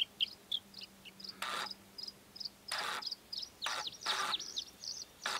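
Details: Bluethroat singing varied, clipped high notes and short twittering phrases that change every second, broken by loud rushing bursts of wind or handling noise and a faint low hum.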